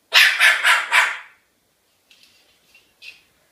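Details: Cockatoo kept as a pet giving a dog-like barking burst of four rapid, gravelly yaps, followed by a few faint short chirps and clicks.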